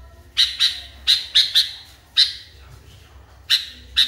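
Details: Agitated sooty-headed bulbul in a cage giving loud, sharp chirps, mostly in pairs, spaced by brief gaps of quiet, with a faint low background hum.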